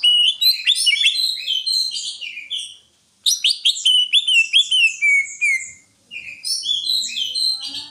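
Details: Greater green leafbird pouring out a fast, varied song of sharp chirps and downward-slurred whistles in long bursts, broken by two short silences.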